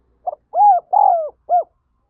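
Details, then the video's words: Spotted dove giving its prompting call, a recording used to stir decoy doves into calling: a short note, then three low, mellow coos with slightly rising-then-falling tone, evenly spaced in a clean, quiet setting. "Tiếng Chim Cu Gáy Thúc Gáy Gọi"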